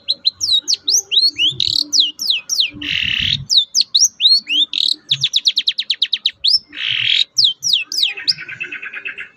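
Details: Captive long-tailed shrike song, played to get reluctant birds singing: rapid, varied high whistled notes sweeping downward, harsh buzzy bursts near three and seven seconds, a fast run of ticking notes, then a closing buzzy rattle, with faint low thumps.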